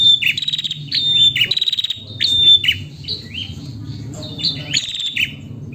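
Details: Female prinia calling the male, giving bright high chirps with downward-sliding tails, repeated irregularly, with rapid clicking rattles between notes and a faint low background hum.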